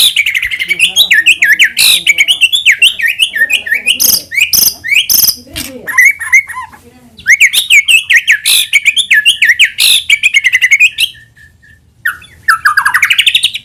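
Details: White-rumped shama lure song, meant to make other shamas answer and sing actively: a dense, nonstop run of varied whistled phrases, sharp clicks and wavering notes, with a brief pause before a final rising sweep.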